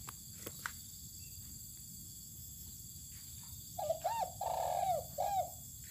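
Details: Spotted dove being sunned outdoors on open land: after a quiet stretch with a few clicks, a single cooing phrase of short arched notes, a longer sliding coo, then a final short coo, over low background hum.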